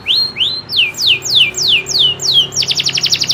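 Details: Singing local canary, loper style, delivering natural rolls: upslurred notes, then falling slurs about five per second, closing with a rapid pulsed trill.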